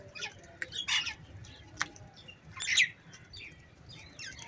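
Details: Crows gathered in the morning, fighting over food, give two harsh, loud, noisy squawking caws nearly two seconds apart, with fainter high chirps from other birds between them.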